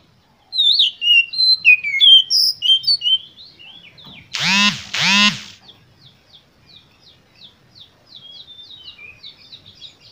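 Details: Oriental magpie-robin in full emotional song, meant to provoke other birds: quick varied whistled notes, interrupted by two loud nasal, quacking calls, then a faint, rapid trilled series.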